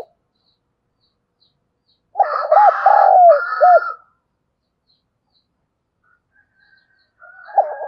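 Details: Decoy spotted dove cooing to lure wild doves: one low phrase of quick coos, a long falling coo and two short coos, overlaid by a rougher higher call, with another phrase beginning near the end.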